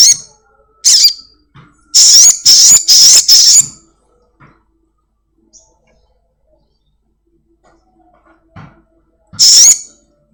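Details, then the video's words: Black-winged myna, house-kept, in a lure recording to make caged birds sing quickly: short sharp notes, then a rapid run of four loud shrill whistles, a long quiet stretch, and one final harsh whistle. "Sogon gacor || Pancingan sogon rumahan agar cepat bunyi"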